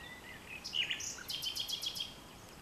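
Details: Common nightingale singing at dusk in vegetation bordering farmland in France, 22 April 2020: a thin high whistle, a few varied chirps, then a quick run of five or six sharp repeated notes over faint background hiss.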